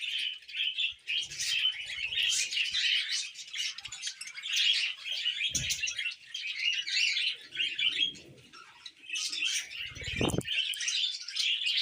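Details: Continuous budgerigar warble: overlapping high chirps, scratchy buzzes and quick trills from several birds, interrupted by two low knocks, one near six seconds and one near ten.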